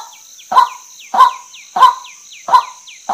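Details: Five loud, raspy calls from a female white-breasted waterhen at regular intervals, while quick descending chirps of another bird flicker between them above a steady high whine.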